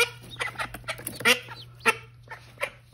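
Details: Mother call duck beside her newly hatched babies, uttering loud, rasping quacks in uneven bursts, several overlapping in quick succession over three seconds, with a faint steady hum behind.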